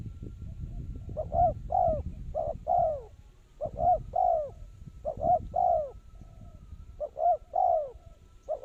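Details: Decoy spotted dove calling during bird trapping, a steady series of mellow coo phrases, each a clipped double note followed by a longer sliding coo, repeated several times over low rumbling background noise.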